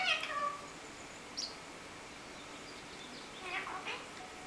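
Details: Indoor hand-tamed parrots gathered around a three-week-old chick; a loud arching, meow-like harmonic call opens, a short high squeak follows, then softer wavering calls near the end, with low room hum throughout.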